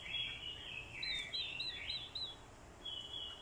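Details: Orange-headed thrush fighting song from a decoy bird, stirred by a female's call: a fast, continuous warble with interleaved high whistled notes, ending in a softer drawn-out phrase.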